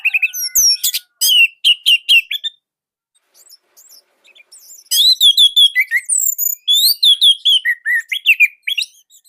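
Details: Loud, tightly packed song of an orange-headed thrush from Indonesia: rapid chains of clear whistles and sharp notes, a brief lull with soft chirps, then a long varied stretch of rising and falling phrases.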